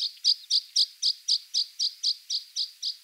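A Water pipit gives a steady run of thin, high chirps, about four a second and evenly spaced; no other sounds intrude.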